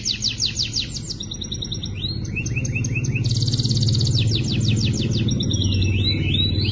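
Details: Young canaries singing, recorded as a training compilation: quick rolling trills and looped whistled phrases, a buzzy sustained trill in the middle, then rising sweeps, over a noticeable low background hum.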